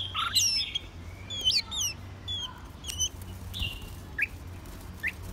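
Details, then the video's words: White-rumped shama singing a varied phrase of sharp whistled notes, steep up-and-down sweeps and high thin slurs, delivered in bursts with brief pauses, over a low steady hum. "White Rumped Shama"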